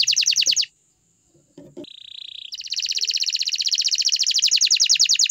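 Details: Canary in lively, energetic song: high fast pulsed trills, a brief pause, a steady buzzy note, then a long rapid rolling trill of sharp repeated notes.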